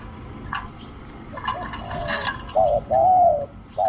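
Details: Spotted dove during decoy luring, sending out a short hoot and a long wavering coo after some clattering, rustling handling sounds, with another coo starting at the end and faint high chirps.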